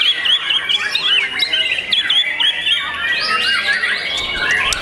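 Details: Song of a young captive white-rumped shama: rapid runs of short, bright whistled notes repeated in quick chattering series, then broader buzzy sweeping phrases toward the end.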